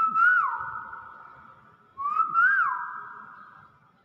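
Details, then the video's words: Common hill myna whistling for a masteran, a training recording for other birds: two long, pure, mid-pitched whistles, each opening with a short rising upslur and then held level while slowly fading. "masteran burung beo virall"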